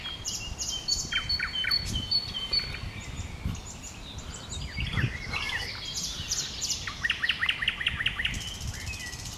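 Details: Common nightingale singing from bushes, varied phrases of whistles and slurred notes building into a rapid run of repeated staccato notes, with other birds chirping faintly and low background rumble.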